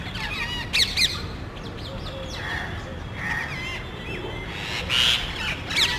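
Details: Parrots in a small group searching a residential area for nesting spots in cable boxes; scattered grating squawks and short rising-falling screeches, the loudest near the start and end, over a low background hum.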